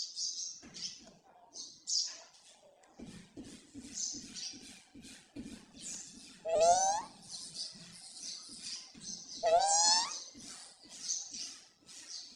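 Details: Pet Indian green ringneck parakeet talking, mimicking human speech in Hindi: rapid chattering syllables with breathy hiss, plus two loud rising-and-falling squawks mid-way, indoors in a small room.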